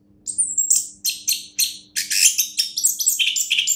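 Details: A short burst from a champion orange-headed thrush: a high whistle, then evenly spaced sharp notes about three per second, building into a dense, ringing trill.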